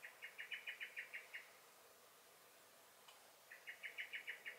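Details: Alarm calls of a blackbird (Turdus merula) in a garden, 23 May 2021: a rapid series of about nine clipped notes, a gap of two seconds with a faint tick, then another quick rattling series.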